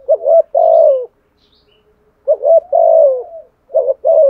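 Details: Spotted dove giving a fighting coo in the deep 'thổ' voice style: three low, mellow phrases, each with quick stuttered notes leading into a long drawn-out coo that slides downward, separated by short silences.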